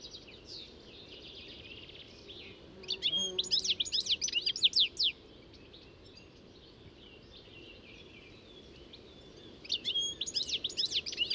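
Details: European goldfinch singing: a faint twitter at first, then a bright burst of rapid, tinkling, liquid notes running for about two seconds, a quiet pause, and a second lively twittering phrase at the end over soft outdoor background noise.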